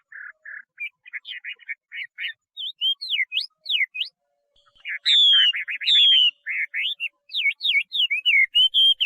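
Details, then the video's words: Chinese hwamei singing a varied, rich run of loud whistled phrases: short chirps at first, then swooping up-and-down slurred notes and bright ringing whistles after a brief pause, repeated in quick succession. "画眉鸟的声音 The Voice of a Thrush"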